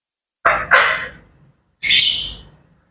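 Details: Harsh, broadband squawks from grey parrots in the morning: two quick rasping calls close together, a short gap, then a higher, hissier screech.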